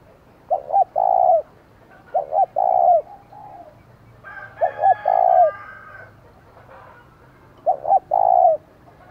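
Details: Decoy spotted dove giving a provoking call meant to draw in wild doves, in the giọng thổ voice style. It repeats a phrase of two short coos and a longer drawn coo about every two seconds. A rooster crows in the background.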